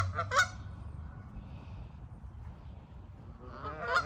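Canada geese give loud, nasal honks: a pair of blaring calls at the start and another near the end, with a low steady rumble of background noise between.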